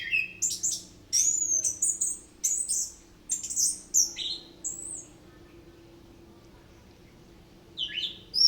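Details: Orange-headed thrush in rolling song full of imitated phrases: loud, high whistles and sharp slurred notes in quick bursts, then a pause of about two seconds before a final rising note.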